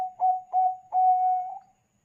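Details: Bangkok-type zebra dove song meant to draw other doves into calling: two short, firm coos, then a longer, steady coo with a slight tremble at its end, in a quiet setting.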